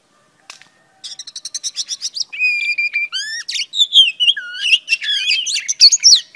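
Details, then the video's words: Female oriental magpie-robin singing to stimulate a male: a quick run of short, bright repeated chips opens, then loud whistled slurs, rising and falling notes and buzzy trills follow in a rich, varied, continuous phrase, with no other sounds. "Than mái hót kích trống P3 Oriental Magpie Robin Female"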